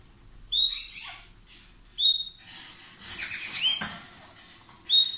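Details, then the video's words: Loud chattering song from a pair of lovebirds exchanging kisses and food: quick, high, clipped chirps with downward slurs, repeated in clusters about every second, plus some scratchy rustling. "Love birds Sound"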